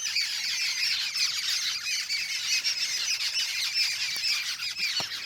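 Jungle babblers chatter in a dense, continuous chorus of harsh, squeaky, overlapping notes, several birds calling at once without pause.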